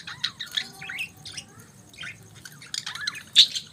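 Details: Budgies chirping in the morning, soft wavering warbles and short squeaky notes, ending with a louder sharp chirp.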